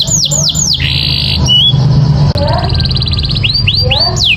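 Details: Singing canary used to train other birds: falling whistles, a steady buzzy note, a rapid trill, then more swept whistles over a low hum.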